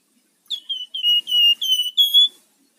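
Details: Rufous-fronted laughingthrush delivering 'ngebren' and 'nyiul' song, used as a lure and master bird: a quick series of seven pure whistles, each gently falling, the phrase ending on a higher level note.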